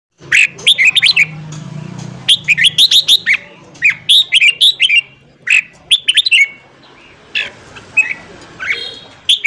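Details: Red-whiskered bulbul morning song, played to train newly caught birds and spur them to sing. Rapid bursts of bright whistled, warbling notes come in clusters with short pauses. A faint low hum runs beneath.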